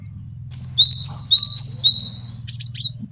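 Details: A male cinereous tit used as a master song for training and luring sings a few clear, high rising-and-falling whistled phrases in steady sequence, followed by brief sharp notes, over low background hum.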